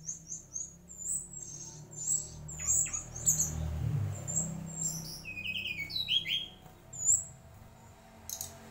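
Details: Mangrove whistler of genuine mangrove origin singing: clear whistled notes near the end, rising and falling, mixed with many thin high chirps and squeaky twitters throughout, over a low background rumble.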